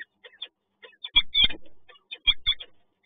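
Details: Peregrine falcon at PGE Toruń, the male caring for and bringing food deliveries to the female through the day: short, harsh, chipping notes in quick bursts, with a louder paired cry twice, over low thumping bumps and rustle.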